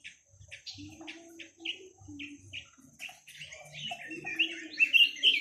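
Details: Chinese hwamei singing: a series of short separate notes, then a rapid run of loud, clear whistled phrases toward the end, with faint low tonal sounds beneath.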